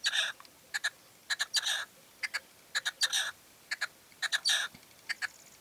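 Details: Male Red-legged partridge in La Serena, Extremadura, calling in late evening light: loud harsh chuffing notes in grouped bursts of two to four, repeated irregularly, with a quiet background.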